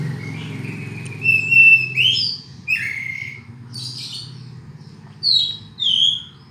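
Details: Oriental magpie-robin song of long drawn whistles and sweeping downslurred and upslurred notes, spaced out over a steady low mechanical hum.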